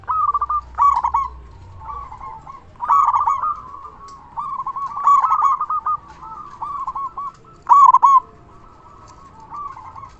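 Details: Local zebra dove with a loud voice, kept to lure other doves and stimulate quiet or stressed birds. Staccato cooing phrases come every two seconds or so, over continuous softer cooing from another bird.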